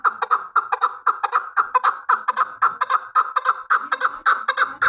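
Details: Chukar partridge giving a fast, chuckling call: a long string of clipped, mid-pitched clucking notes, roughly two to three per second, evenly paced and loud, with a few faint background noises.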